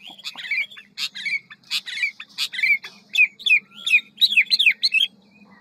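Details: Hwamei in ngũ trường style with fast delivery and many voices: dense scratchy buzzy phrases mixed with warbled slurs, roughly three notes a second, with a low steady hum underneath.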